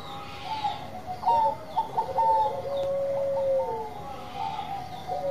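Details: Perkutut of the Bangkok type, a zebra dove, in soft song: short clipped coo notes, then a long level trill that drops at its end, with quieter overlapping cooing throughout.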